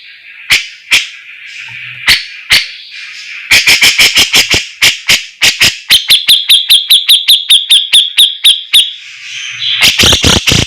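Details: Cucak jenggot jawa (Javan grey-cheeked bulbul) tutor song used for training: sharp, loud chirps repeated at uneven intervals, speeding into a rapid series of clicking notes and then a fast, even, high trill, ending in a dense burst of notes.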